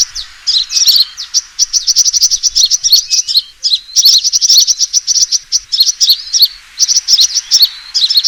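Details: Sunbird fighting call used as a lure for trapping birds: almost continuous high, sharp chirps tumbling together into rapid chattering runs, with only brief gaps between bursts.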